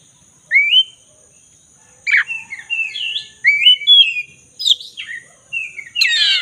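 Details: Oriental magpie-robin of the black-breasted form singing energetically, used as a lure to get silent birds singing; clear upslurred whistles and fluty notes followed by a harsh, scratchy burst at the end.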